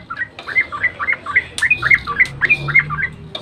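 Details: Yellow-vented bulbul in dawn song used as a lure: quick rhythmic string of bright slurred whistles, about four notes a second.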